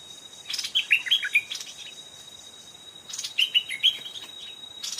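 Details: Stripe-throated bulbul exchange as a caged decoy lures a fierce old wild bird up to the trap twice. Two brief clusters of liquid chirped notes about two seconds apart, with rustling noise bursts and a steady high-pitched hum beneath.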